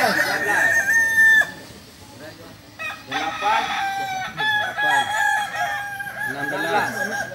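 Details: Landiak-class Balenggek roosters crowing at a Sunday contest in Ampang Kualo, Solok city; a long held crow ends, then several birds answer with clipped, stepped syllable runs amid distant chatter.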